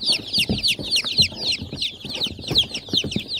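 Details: Domestic chicken chicks peeping: a rapid stream of high, thin, downward-slurred cheeps, several birds overlapping, with soft low knocks and rustling underneath.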